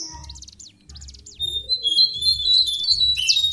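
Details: Lesser shortwing, locally jongkangan coklat, as training lure audio: a run of rapid, repeated high chirps, then a fast, sustained, jumbled high twittering that grows louder, with a low humming background throughout.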